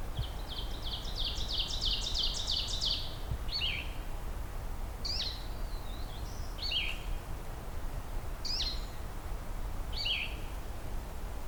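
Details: On a hazy mid-afternoon beside a wetland at Beaver Meadows, Allegheny National Forest, a Blue-headed Vireo gives a rapid harsh chatter, then five short, down-slurred, catbird-like mews one to two seconds apart, over low wind.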